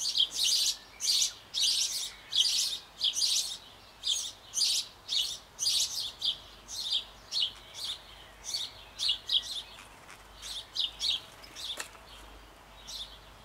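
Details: Sparrow nestlings shortly before fledging, in a nest box on an old apple tree in Bavaria, Germany, being fed by both parents: a rapid, uneven series of high, harsh chirps, about two per second, fading slightly toward the end.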